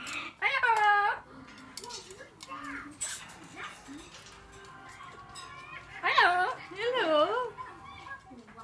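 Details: Four-year-old female blue-fronted amazon, chatty and excited because it is time to come out, giving two loud bursts of harmonic, voice-like syllables with sliding pitch, separated by quieter murmuring over steady low room noise.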